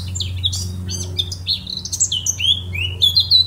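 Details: Eurasian blackcap warbling: dense, fast sequence of scratchy twitters leading into clearer, fluty downslurred whistles, with a low steady hum beneath.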